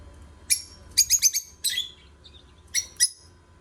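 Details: Lovebirds chirping: sharp, shrill, clipped notes, some single and some in quick clusters of three or four, about four per second at the busiest, over a faint low hum.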